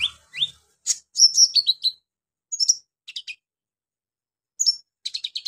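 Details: Brown-throated sunbird giving harsh song to provoke other sunbirds: rising whistles, a quick tumbling series of falling high notes, then brief chattering bursts separated by silent gaps.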